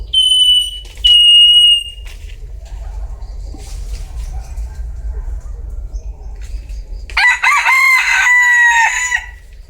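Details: Two thin, high, piping notes open the recording, each about a second long. A loud bantam rooster crow of about two seconds follows later, dense and harmonic, with a sagging, drawn-out close.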